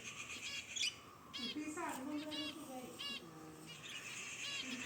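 Cockatiels give bursts of bright, rasping chirps, with lower murmuring sounds underneath.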